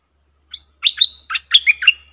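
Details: Red-whiskered bulbul with a bright, clear 'double' song used as a lure: an opening whistle, then a lively cluster of warbled, rising and falling notes, close and clean with a faint low hum.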